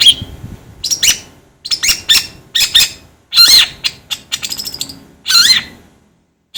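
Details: Long-tailed shrike producing a varied series of grating squawks and sliding whistled notes, several loud bursts with quick falling inflections, irregularly spaced.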